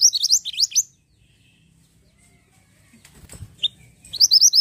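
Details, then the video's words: Vigorous song of a pied bushchat (mantenan gunung): a fast series of high, rising whistles, then a pause with a soft thump and a lone note, before the high rising phrase resumes. "BURUNG MANTENAN GUNUNG GACOR"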